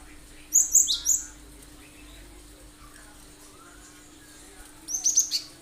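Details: Cinereous tit (gelatik batu) in full sharp 'tembakan' song, meant to make other birds sing and copy it; a rapid cluster of four or five shrill notes, a long quiet gap, then another similar quick phrase.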